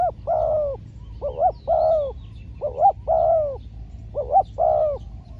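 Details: Trained decoy spotted dove calling during a trapping outing: repeated soft, low cooing phrases, short doubled notes followed by a longer coo, roughly every one and a half seconds, over faint background rumble.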